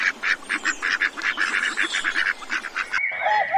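Geese give a rapid run of short, nasal honks that overlap in a busy chatter for about three seconds, then a brief, different tonal call cuts in.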